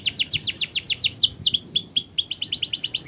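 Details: Singing canary, Spanish Timbrado style, delivering quick rolls of falling notes, a brief pause with softer rising-falling sweeps, then another fast rolled trill.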